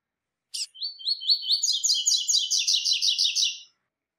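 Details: Brown 'pardo' double-collared seedeater performing a three-note 'tui tui' song: a clipped first note followed by a dense stream of rapid, bright, trilled high notes that stops abruptly.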